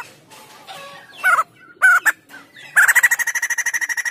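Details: White-crested laughingthrush singing for training or prompting other birds: a few loud separate slurred notes, then a fast rattling series of pulsed harsh notes that gradually softens.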